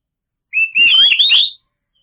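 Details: White-rumped shama song played to provoke silent birds into singing: one clear whistle leading into a rich, looping warbled phrase about one second long, loud and clean with no background noise.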